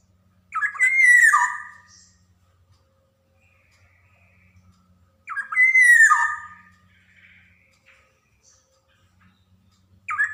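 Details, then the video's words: Training song of a Javanese black-naped oriole for stimulating young birds: a fluty phrase with a buzzy start and a falling whistle, repeated about every five seconds, with a third phrase beginning at the end. "SUARA PANCINGAN KEPODANG JAWA | kicauan kepoxang emas gacor cocok buat merangsang kepodang bahan"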